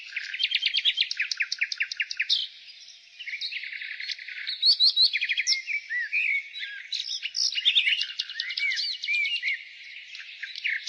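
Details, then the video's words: Nightingale singing in spring: a loud, varied run of rapid repeated notes, fast trills, pure whistles and rising and falling phrases, each burst changing style after a brief pause, with nothing else audible. "Nightingale singing"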